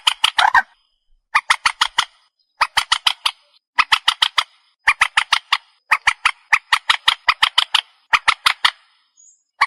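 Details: Purple swamphen calls used as a night-hunting lure: steady bursts of four to six harsh, buzzy clucks, each burst about half a second long, repeated roughly every second with clean silence between.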